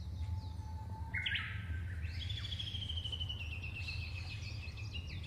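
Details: Australian magpie from a breeding family with one male and two females raising chicks, giving a low whistled note, a sharp rising flourish, then a long sustained high fluting whistle that slowly falls, over a steady low rumble.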